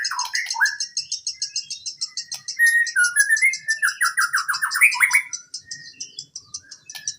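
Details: Rich white-rumped shama song used to coax quiet birds: a continuous high buzzy trill with whistled slurs below, then a fast series of about ten rising notes before the phrases thin out.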